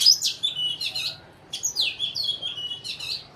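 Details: Sparrows from Burma calling up close: bright, high, repeated chirps in two rapid bursts, each note sliding downward, with brief gaps between the clusters and little other sound.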